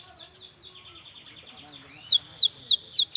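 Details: Young cinereous tit singing, played to prompt lazy birds into song; faint notes at first, then a loud run of five sharply descending whistled slurs, evenly spaced about a quarter second apart.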